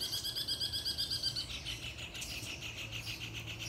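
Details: Double-collared seedeater in puxada song: a fast series of about a dozen sharp, evenly spaced high notes in just over a second, running into a blurred, buzzy trill, with a low background hum.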